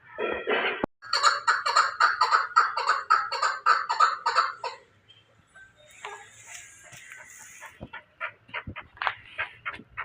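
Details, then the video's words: Chukar partridge of Pakistan with a fast burst of repeated clucking notes over about four seconds, then quieter scattered calls and a hissing noise. "Chakor | chakor ki awaz"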